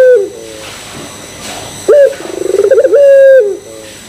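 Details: Single drawn-out coo of a puter pelung Barbary dove, used as a lure to set other doves cooing: a sudden throaty start, a quickening rolled trill, then a long even note that fades, following the tail of an earlier coo.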